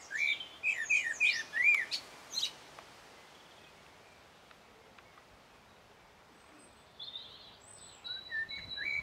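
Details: Common blackbird song from 1 June 2016, Sony HDR-PJ10E camcorder: a run of about five clear whistled notes repeated quickly with a high twittery flourish, silence, then softer twittering phrases return.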